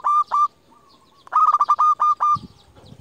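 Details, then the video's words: Zebra dove of local stock, a lure bird for calling rivals and stirring mating drive, delivers loud, harsh-edged cooing bursts of rapid repeated notes, separated by a softer, drawn-out coo and a short quiet gap. "Perkutut lokal gacor JUARA Pikat terbaik paling jago memanggil lawan"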